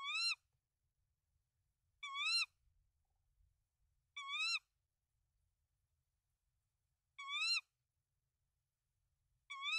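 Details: Tawny owl at a nest holding three eggs in Denmark, 24 March 2024, as the male brings rodents to the female; five wavering, harmonic-rich calls, each under half a second, repeated every two to three seconds in near silence.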